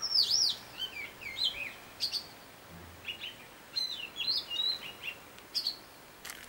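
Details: Robin, described as a great mimic singing in different tunes, here giving another tune: short high twittering and whistled phrases, some slurred up and down, delivered in quick bursts separated by brief pauses over a soft background hiss.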